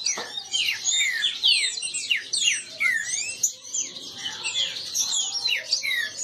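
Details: Several captive green-winged saltators singing against each other, a dense stream of steeply falling whistled notes overlapping continuously, fading slightly toward the end.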